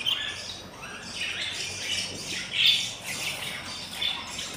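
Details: Four-day-old budgie chicks begging in a breeding box, three of eight eggs hatched: thin, high rasping squeaks rise and fall in overlapping bursts, one sharper cry standing out partway through.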